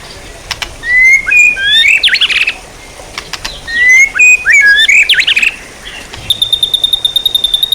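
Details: White-rumped shama used as training material for songbirds: loud, varied whistled phrases, some sliding upward, with buzzy bursts, in two bouts, then a rapid series of short, evenly spaced high pips.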